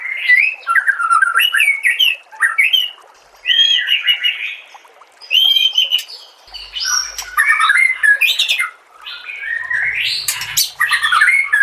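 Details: White-rumped shama song compiled for training caged birds: bursts of varied, rich whistled phrases separated by short pauses, mixing smooth slurs with harsh, scratchy chatter; a faint low rumble appears near the end.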